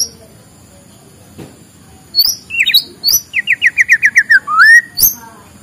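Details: Morning song of a white-rumped shama, meant to prompt reluctant birds to sing. After a quiet start come sharp high whistles, then a fast series of about eight falling notes ending in a long rising whistle.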